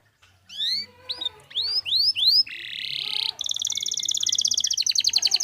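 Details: Canary song, a clear-voiced bird used as a training recording: rising whistled sweeps, then a buzzy sustained note, then a fast metallic trill of rapid repeated notes near the end.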